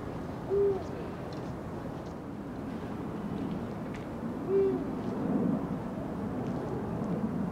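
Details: Eurasian eagle-owl (Bubo bubo) recorded 16 February 2023, giving deep, brief single hoots, two about four seconds apart, over a steady low rumble like distant traffic.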